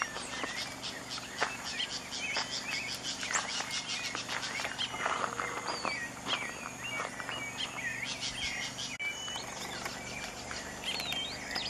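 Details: Common tody-flycatcher at Chagres Resort, Panama, on 25 April 2015, giving dry, clicking ticks in loose runs amid a busy chorus of other birds' chirps and whistles over steady background hiss.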